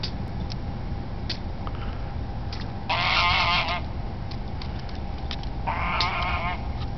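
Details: A domestic goose makes unusual noises: two bursts of harsh, rapid honking, each lasting about a second, over a steady low rumble.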